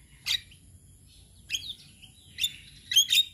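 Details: Male Javan myna, kept for teaching other mynas to sing, giving four spaced harsh, broadband chattering notes over about three seconds, with brief gaps of quiet between bursts.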